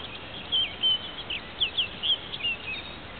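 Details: At twilight in Marais Temps Clair Conservation Area, St. Charles County, 5/28/10, a male orchard oriole delivers a quick, varied run of whistled, slurred and chattering notes, several per second, against soft ambient hiss.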